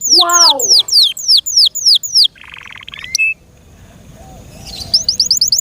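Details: Pet canary delivering a run of steeply falling whistled sweeps repeated about three times a second, a short low buzzy burst, a pause, then a quick high trill building at the end.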